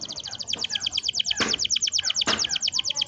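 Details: Long rolling canary song used to coax young birds into singing: one fast, even trill of bright repeated notes, about nine per second, continuing throughout, with two brief knocking sounds in the background.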